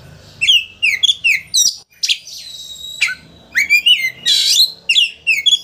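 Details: Kacer, the Oriental magpie-robin, singing to provoke a rival into spreading its tail: rapid series of sharp downslurred chirps, a sustained whistle with overtones, then harsh buzzy bursts and repeated quick sweeps.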